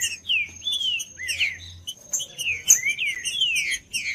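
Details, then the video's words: Green-winged saltator singing to warm up a cold bird: clear, full whistles that arch and fall in quick succession, a short pause midway, then more descending slurs, backed by a faint constant high whine. "TRINCA-FERRO CANTANDO/ESQUENTAR TRINCA FERRO FRIO"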